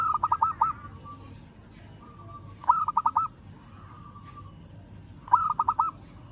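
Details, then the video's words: Local zebra dove calling a rival: short cooing phrases of about five quick staccato notes, each opened by a higher lead note, repeated three times at intervals of roughly two and a half seconds, with soft longer coos between. "Perkutut Lokal Suara Memanggil Lawan"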